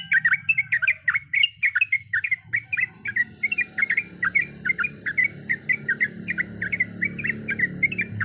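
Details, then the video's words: Sooty-headed bulbul, a female calling to a male, in a long unbroken rolling song of quick, bouncy liquid notes repeated steadily, while a broad hiss and rumble of background noise rises after the first few seconds. "Trucukan gacor ropel panjang full isian berbagai macam suara"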